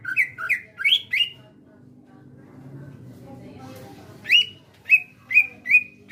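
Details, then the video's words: Greater green leafbird kept as a pet, singing gacor: a quick run of sharp slurred whistles, a quiet spell with faint background noise, then evenly spaced clear whistled notes roughly twice a second. "CUCAK ijo GACOR SUARA asli ALAM"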